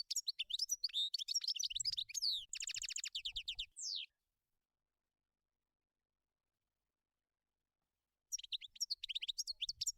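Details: European goldfinch in the wild: a dense four-second run of rapid twittering and chirps ending in a dry rattling buzz and a falling note, then silence, then renewed twittering near the end. Faint low thumps.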